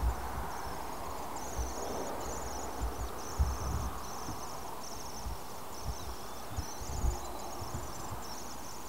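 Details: Common swift chick, the last of 2014 and almost ready to fledge, calling from a nest box colony near Tubbercurry, County Sligo, Ireland, on 7 August 2014: faint, thin, high buzzy trills in repeated strings, over steady road traffic.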